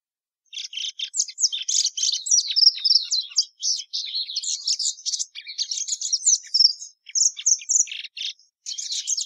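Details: Plumbeous seedeater song: after a short silence, a sustained flurry of high buzzy twitters and bright whistles, nearly nonstop for about eight seconds, with a short gap before a final phrase.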